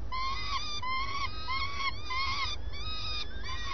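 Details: Swift at its nest in early morning, giving a series of nasal, harmonic, slightly rising-then-falling calls, each about half a second long, in quick succession over a steady low rumble.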